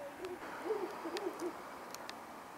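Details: Ural owl, one of a pair that moves between power lines and antennas in town, calling in darkness: a run of short, low hoots in quick succession, with faint clicks and background hiss.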